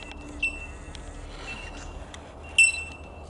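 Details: Bell miners at Dandenong Valley Wetland, Victoria, Australia, on 17 April 2021 give pure, ringing 'tink' notes, two loud ones about two seconds apart, over a soft background of distant tinkling from others.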